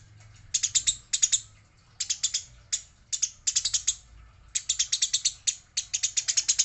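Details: Fighting Eurasian tree sparrow, female per the description, giving repeated bursts of two to six harsh, chattering high chirps spread over several seconds, separated by brief quiet gaps; low background hum.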